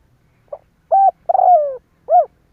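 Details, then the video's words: Spotted dove cooing as a lure to provoke other doves into calling; a soft short note, then three clear low coos, the middle one long and sliding downward, in a quiet setting. "Tiếng chim cu kích bổi Hiệu quả /Cu gáy kích bổi/ Chim cu gáy kích bổi 100% mở gáy liền"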